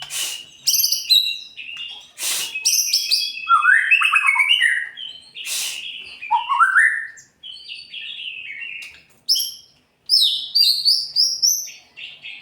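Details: White-rumped shama singing hard, meant to trigger song in less spirited birds. Varied whistled phrases with sharp clicks, low rich slurs, and high twittering notes separated by brief pauses.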